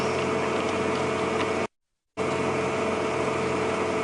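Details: On an afternoon safari drive at Djuma Game Reserve, a vehicle engine idles with a steady hum, broken by a brief silent gap; no animal sounds are heard.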